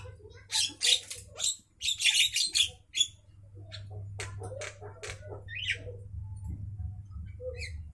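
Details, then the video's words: Midday song of a Javan myna, made of dense clusters of loud, grating squawks and clicks in the first three seconds, then sparser sharp notes and one brief rising whistle, over a steady low hum. "suara asli Burung jalak kerbau Siang Hari"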